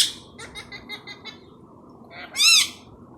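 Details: Tame pet Indian ringneck parrot, kept indoors and described as a talking bird of Urdu and Hindi words. A faint rapid chatter of short notes comes first, then one loud, harsh, rising-falling squawk near the end.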